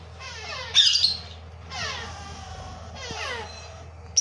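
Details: Young African grey parrot chicks giving harsh, rasping calls in three drawn-out bursts, each with a descending streaky tone, plus a brief louder squawk near the start, over low background hum.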